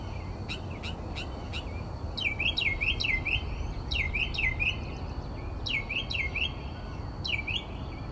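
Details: Northern mockingbird singing at 4 am outside a bedroom window in Texas; a series of sharp clicks, then swooping V-shaped whistled notes in pairs repeated several times, with low background rumble.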